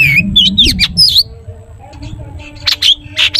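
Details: Long-tailed shrike song meant to set other shrikes singing: scratchy whistled and squawky notes in a quick burst, a second of quiet, then a few harsh buzzy notes.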